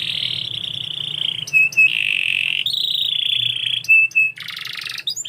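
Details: Canary holding long rolling trilled tones at a steady high pitch, interrupted by brief sharp notes and ending in a buzzy rattle, with a constant low hum behind.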